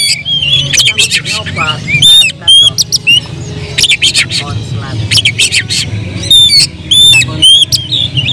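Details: Oriental magpie-robin singing agitatedly as a lure to rouse other birds, pouring out rapid sharp whistles and scratchy harsh notes in dense bursts, with a constant low droning hum behind.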